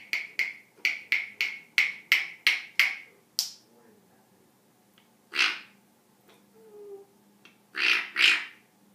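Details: African grey parrot making funny noises: a fast, even series of about ten sharp clicks, then scattered breathy huffs and a quick double burst.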